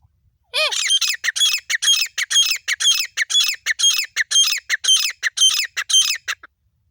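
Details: Partridge (teetar) female voice from Pakistan, used in hunting: after a brief rising note comes a loud, harsh, squawking series of rapid repeated notes, roughly three per second, for about six seconds, then silence.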